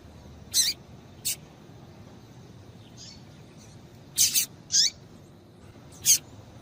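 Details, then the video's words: Calls of a female Rusty-collared seedeater used to stir the male to sing: scattered short, high, buzzy chips, one quick double note, with long quiet gaps between. "Piado de Fêmea de Coleiro para Esquentar Coleiro"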